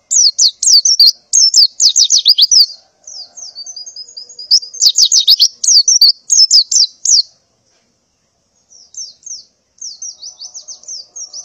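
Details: Female white-eye in breeding condition calling to males in the morning: bright high chirps in rapid bursts, then softer twittering and a short pause before thin whistled notes resume.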